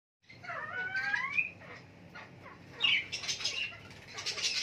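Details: Chukar calling: a few squeaky, rising harmonic notes in the first second, then harsher, noisy bursts of rapid chattering, with a faint low hum underneath.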